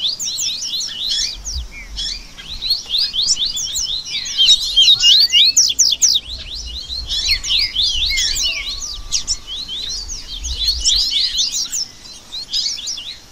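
Double-collared seedeaters chatter and sing in a dense, overlapping stream of quick, high, buzzy twitters and sharp trills, several birds at once with no pause.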